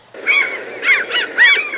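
A gull gives a quick series of harsh, nasal, mewing cries.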